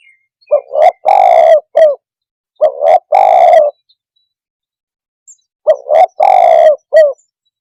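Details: Spotted dove provoking call: three mellow coo phrases, each a short pickup, a long rolling coo and a closing short note, separated by pauses of one to three seconds.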